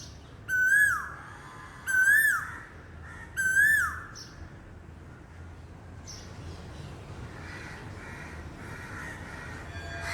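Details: Asian koel giving three loud whistled notes, each rising then sliding down, repeated about every one and a half seconds, followed by quieter background bird sounds.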